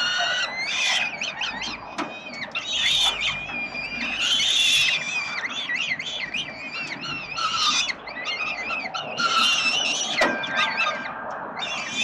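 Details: Begging peregrine falcon chicks, fed by the male at 367 Collins in Melbourne, Australia, 30/10/2021: a long run of wavering, quavering screeches that rise and fall quickly, loud and overlapping, with a few sharp clicks.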